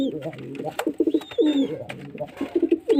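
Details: Pigeon giving short, low, burbling coos in quick pulses, mixed with brief high chirps from other birds and a few sharp clicks.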